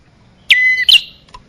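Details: Lure sound for bar-winged prinia, meant to draw in males and females: a single high phrase, a sharp note falling into a level thin whistle, then a brief rising chirp and a faint low click after.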